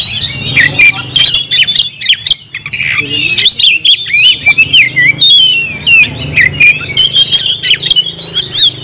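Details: Oriental magpie-robin (kacer) in sustained, energetic song (nagen): nearly nine seconds of rapid whistled twists and harsh chattering notes, densely packed with only brief pauses, a low hum in the background.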